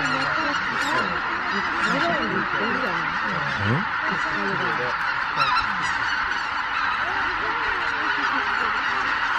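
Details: Dawn roost departure of over 83,000 Greater white-fronted geese at Miyajima-numa, 23 April 2017, recorded on a compact camera in poor weather; many overlapping quick, bending honks stacked densely over a roaring chorus.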